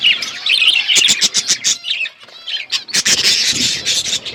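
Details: Budgerigar flock in an outdoor aviary: dense, overlapping high chirps and warbling chatter, with quick sharp tweets bursting out in rapid series and a brief lull midway before the chorus swells again.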